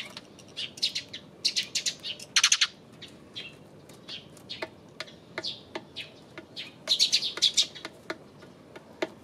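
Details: Eurasian tree sparrow on 28 May: bright chirps in loose bursts, densest around the start and again near the end, separated by sparse sharp clicks and quiet gaps.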